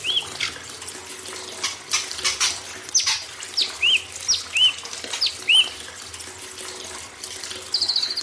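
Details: White-rumped shama, imported, sung as tutor song for young forest birds beside running water: a few rough buzzy notes, then three arched whistles repeated about every 0.8 seconds and a closing harsh buzz, over constant splashing water.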